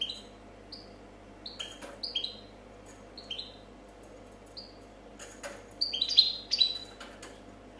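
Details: European goldfinch, 2014 copia champion: scattered soft, falling single and double chirps with clicks and knocks, then a louder cluster of high twittering notes near the end.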